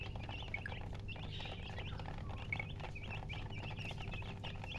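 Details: A group of newly hatched chicks calls loudly, short high peeps, some rising and some dropping, coming in quick clusters over a steady low hum.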